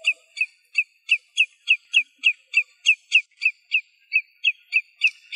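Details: Common redshank singing in its natural habitat in Greece: clear whistled notes, each dipping briefly in pitch, delivered in a brisk steady series of about seventeen notes, roughly three per second, with no other sounds.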